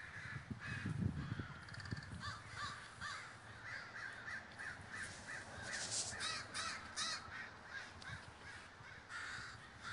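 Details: A big gathering of crows in Davis, California, many birds cawing over one another in a continuous noisy chorus of rasping calls, with a low rumble early on.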